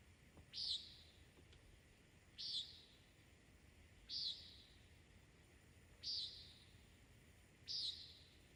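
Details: Common nighthawk at night in the mountains gives five harsh, nasal, buzzy 'peent' flight calls about every two seconds over a quiet background; listeners first mistook them for a mountain lion.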